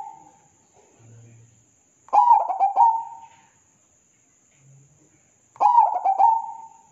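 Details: Zebra dove (perkutut) song used as a training recording for caged birds: two loud bursts of rapid, rolling, staccato cooing notes that trail into a long sustained coo, separated by about three seconds of near silence, with a steady faint high electrical tone throughout.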